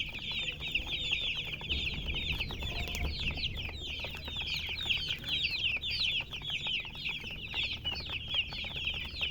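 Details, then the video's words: Chickens giving steady high-pitched chirps, a busy overlapping chorus of short rising peeps that runs on without pause over a faint low hum. "silly chicken chirping sounds with murgi hen color chicken"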